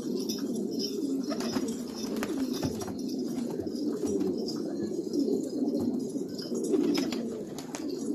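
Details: Afghan black pigeons in Afghanistan giving a continuous chorus of deep, throaty coos that swell and overlap. Faint tapping and rustling sound in the background.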